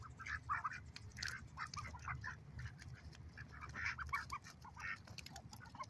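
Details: A noisy group of ducks on a lake calls continuously with clustered, overlapping quacks and clucks that rise and fall in loudness.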